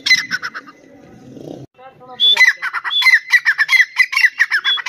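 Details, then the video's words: Grey francolin of the Dakni or Irani type: a short burst of chattering calls, a brief murmured interlude, then loud, grating phrases with clear whistled inflections repeated rapidly. "Dakni vs Irani Teetar Part 2 | Tetar voice Compilation"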